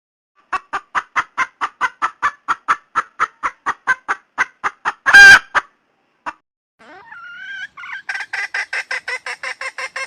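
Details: Female red junglefowl calling to find a mate: evenly spaced, sharp clucks about three per second, broken by one loud harsh burst, then a rising drawn note and a quick string of softer clucks.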